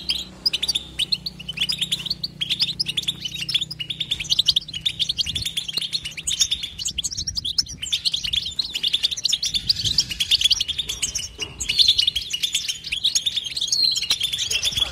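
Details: Continuous 'betbeta' twittering from a European goldfinch: a dense, unbroken stream of high, liquid chirps and trills running throughout, with a soft low background hum.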